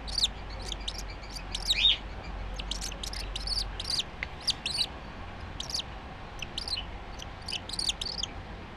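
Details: Cockatiel chick three days old, born 5 July 2013 and described as very lively, giving thin high squeaky peeps in quick irregular runs over a low steady background hum.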